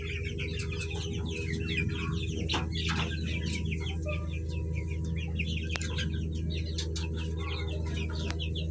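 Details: A group of colourful baby chicks chirping continuously, dense bursts of thin, high, downward peeps tumbling over one another, with a steady low hum and occasional clicks.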